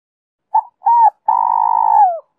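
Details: Lure song of a spotted dove, 'Giọng Kim 2 hậu' style, meant to attract wild doves: a quick soft note, a fuller coo, then a long vibrating roll that sinks at the end. Nothing else is audible.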